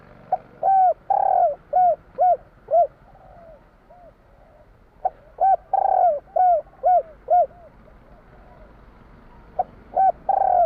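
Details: Spotted dove from Java performing the 'kuk 3' tekukur song: three separate phrases of mellow, arching coos, each built around one longer swelling note, with quiet pauses between them.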